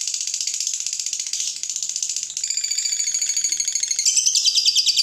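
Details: Lovebird pours out a steady fast chattering ngekek trill, buzzy pulses repeated over three times a second with small shifts in pitch, a song used to rouse other lovebirds.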